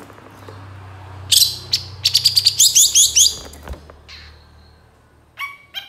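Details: Long-tailed shrike song used as a lure to get reluctant shrikes to answer and sing: a harsh rasping note, then a quick run of sharp, high, chattering and squeaky notes, and later a few short scratchy calls.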